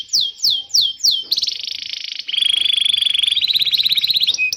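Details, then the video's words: Training song of a canary for teaching young birds and reviving non-singers: four falling whistled slurs, then a dense buzzy roll, followed by a lower rapid rattling trill with a faint high whistle above and a closing sweep. "Suara burung kenari gacor Pancingan kenari paud kenari macet bunnyi"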